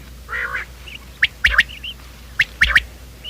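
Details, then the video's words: Quail call for luring quail into traps in the morning: a nasal, buzzy note, then two quick groups of three sharp, clipped notes about a second apart, with softer nasal notes from other birds between them. "Bater ki awaaz , batair ki subbha keliey awaz 2025 , batair ki awaz , bater ka awaaz, quail sound"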